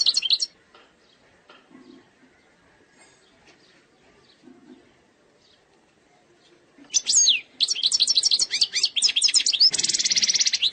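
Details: Algerian goldfinch in eastern-sector singing style, without errors: a brief opening twitter, a long quiet stretch with faint background sounds, then loud rapid chirping and trills ending in a dense buzzy rattle.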